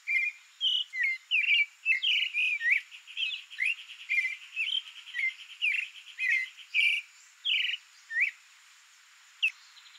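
Creamy-bellied thrush singing a quick run of varied, clear whistled and slurred notes, about two per second, over a steady high insect drone.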